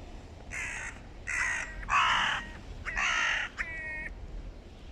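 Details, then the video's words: Hooded crows clashing in a clan fight between two rival groups; a loud series of five harsh, rasping caws, some long and strained, spaced roughly every half second to second, over quiet background hiss. "Серьёзные разборки двух кланов ворон / Hooded crows. Serious clan wars"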